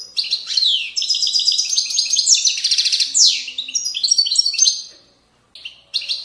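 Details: European goldfinch from the banks of Moroccan valleys delivering Widaniya-style song: nearly five seconds of unbroken rapid twittering, rattled trills and sweeping slurred notes, then a short silence and a brief restart.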